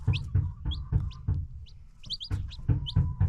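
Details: Free-range chickens with newly hatched chicks: loud, short clucks pulse several times a second while high, thin chick peeps sound in between, over a faint steady tone.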